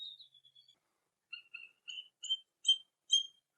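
Bald eagle giving thin, high piping notes: a faint whistle, then about six sharp chirps that climb in pitch and loudness, roughly two per second.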